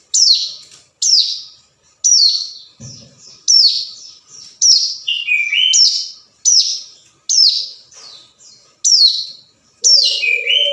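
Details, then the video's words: Hill prinia calling a rival, recording meant as a lure: rapid run of high, harsh, falling notes about once a second, with a few lower whistled slurs mixed in, a brief thump and a short low coo near the end. "suara panggilan ciblek gunung"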